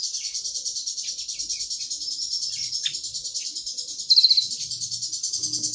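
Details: High, thin and continuous twitter from a pygmy tit, rapid chattering ticks running together without pause, with one short louder trilled burst near the end and a faint low hum beneath.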